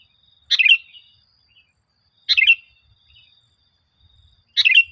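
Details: Sooty-headed bulbul singing, a recording meant to coax caged bulbuls into song: three brief, lively chirping phrases about two seconds apart, clear against a quiet background.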